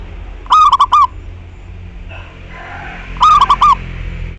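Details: Frequently singing local zebra dove, recorded as a lure to prompt other doves to join in: two clear phrases of four quick rolling coos about 2.7 seconds apart, with a brief soft rustle between them.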